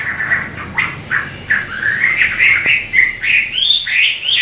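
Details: Chinese hwamei singing in a duet of two birds: series of loud slurred whistles, roughly three per second, rising in pitch toward the end, with some harsher squawk-like notes.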